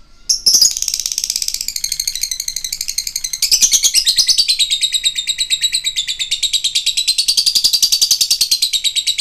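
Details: Lovebird 'ngetik' typing sound, used as a lure so that listening lovebirds grow agitated and trill. A dense, very fast, high ticking chatter runs without a break, like rapid clicking.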